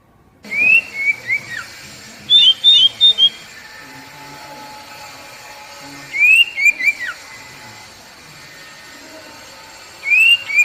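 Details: Oriental magpie-robin (kacer) song played to make captive birds sing: short phrases of clear whistles with a falling slur, repeated roughly every four seconds over a steady background hiss.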